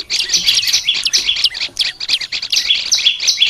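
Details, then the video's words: Olive-backed tailorbird singing, played as training material: quick high twittering notes tumble together in a continuous stream, with short gaps and sharp upslurred whistles. "Melatih suara burung prenjak lumut biar gacor"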